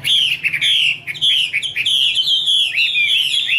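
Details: Caged female Chinese hwamei singing, with a male in the background: loud, rich run of whistled notes, slurred up and down, some harsh buzzy bursts, delivered in quick continuous phrases.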